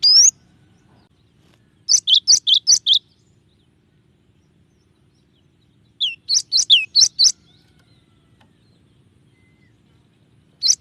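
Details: Cinereous tit singing a varied song: bursts of five or six high, sharp two-note phrases, each a bright upper note dropping to a lower one, repeated in quick series with pauses of several seconds between bursts.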